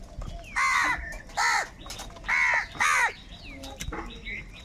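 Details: Angry crows fighting over food give loud, hoarse caws, about four harsh calls in quick succession, with other softer bird calls and faint voices in the background.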